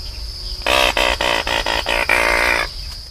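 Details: An anhinga (Anhinga anhinga) gives a harsh, nasal rattle call of about seven stuttering pulses over two seconds, over a steady high insect-like hiss.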